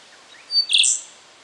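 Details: A rufous songlark (Cinclorhamphus mathewsi) in Victoria, Australia, September 2011, gives one short phrase: a thin high whistle, then a loud, ringing, slightly buzzy half-second burst, over quiet hiss.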